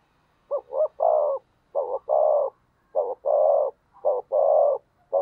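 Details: Spotted dove used as a decoy bird to provoke rivals, giving repeated cooing phrases: a short double coo followed by a longer, drawn-out coo, each phrase roughly once per second, clean with no other sounds.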